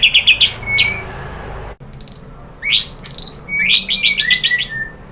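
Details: Lure song of a white-rumped shama, used to provoke a bird into answering: quick high chipping notes and a falling whistle, an abrupt break, then rising whistled slurs and a rapid run of sharp high notes.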